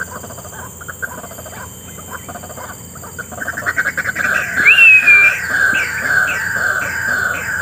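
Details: A wild white-breasted waterhen in scrubland on the edge of a developing area gives loud, rapidly repeated croaking notes that build in volume, about four per second, with a thin whistled note and steady insect hiss behind.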